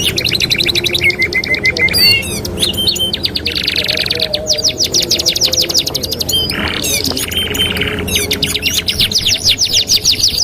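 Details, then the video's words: Training master of canary song in 2-in-1 style: long rattling trills alternating with buzzy rolls and swept whistles, strong and continuous for about ten seconds, light low hum behind. "TERAPI MASTERAN KENARI 2 IN 1 | CANARY SINGING"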